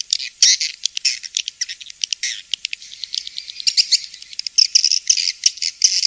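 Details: Swiftlet lure calls for swiftlet houses: quick high chirps and clicking trills, some louder twitters standing out, continuous chorus.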